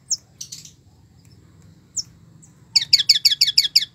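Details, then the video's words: Long-tailed shrike singing: scattered sharp high chips, then a rapid run of about eight loud, buzzy high notes repeated several times a second at the end; faint low hum beneath. "cendet gacor isiannya mewah banget"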